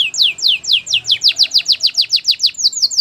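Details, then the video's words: A canary's training song in a quick, even run of bright downward-sweeping whistled notes, roughly five per second, loud and clear throughout. "Your canary will not stop singing with this training song"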